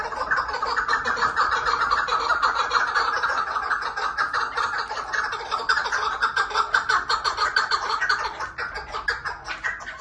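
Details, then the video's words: Chukar partridge in loud, continuous rapid chuk-chuk calling, dense and rhythmic, easing slightly near the end. "keklik sesi süper"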